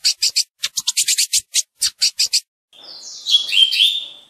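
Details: Tui tui song of a lined seedeater, a rhythmic series of crisp high chips about five per second followed by a fast jumbled high twitter.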